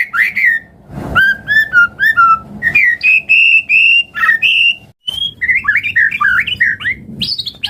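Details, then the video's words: Rich song of a white-rumped shama, meant to spur other birds into singing: a run of clear, ringing whistles repeated in a series, then varied phrases and a rapid tumbling chatter of rising and falling notes. "Pancingan Murai Batu Langsung Respon Auto Bunyi - Masteran Suara Burung Murai Agar Gacor Full Isian"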